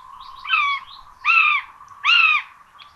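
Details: At a Hungarian nest in Tiszalök on 26 June 2022, two common buzzard chicks get rabbit; three strong, rich, slightly arching calls half a second long repeat roughly every 0.8 seconds over a steady low background hum.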